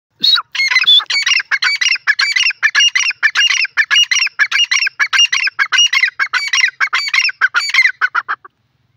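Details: Grey francolin calling loudly in a fast, unbroken run of ringing, harsh notes, roughly a hundred a minute for eight seconds, each note stacked with bright overtones. No background noise.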